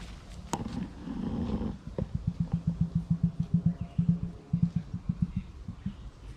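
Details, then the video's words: Emus at Hartley's Crocodile Adventures, a wildlife facility between Port Douglas and Cairns, drum and bellow to each other on a beautiful day: a deep, throbbing series of low thumps, several per second, rolling on for seconds, after a sharp knock and some rustling. "Hopefully that sound is getting picked up on the camera, but you can hear the drumming, bellowing of the emus chatting to each other."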